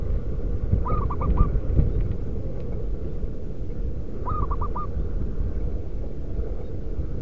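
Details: Zebra dove of the local wild type, played as a lure for doves in the wild: two clear cooing phrases a few seconds apart, each a longer opening note then three short quick notes, over steady low rumble.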